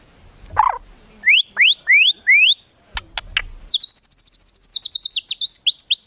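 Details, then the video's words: White-rumped shama in kretekan tembakan style, meant to provoke emotion: a low whistled note, four loud rising whistles, a pair of clicks, then a long rapid rattle of high notes ending in upswept whistles. "KRETEKAN TEMBAKAN MURAI BATU MEMANCING EMOSI"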